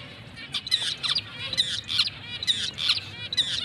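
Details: A breeding pair of black-breasted zebra finches, a rare mutation, calling in repeated short nasal honks and beeps, about every half second, bright and buzzy with stacked overtones, against a quiet low rumble.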